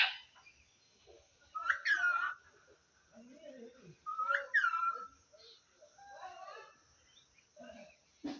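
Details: Pet talking parrot that speaks Assamese phrases such as "ki korisa?", "hello" and "o kaka". Here it gives tonal, speech-like syllables in two louder bursts near the middle, then softer murmured phrases in a quiet small room.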